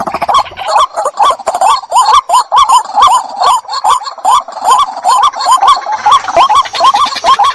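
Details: White-breasted waterhen calling, used as a decoy. A long, even series of short, hooked, rising notes comes a little over twice a second. Sharp clicks appear early on.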